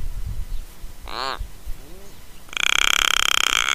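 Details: Australian Little Raven on a trailcam at Mannum, South Australia, fluffing head feathers and ruffling throat hackles while calling: a short creaking, ratcheting call with rising and falling harmonics, then a harsher buzzing rasp to the end.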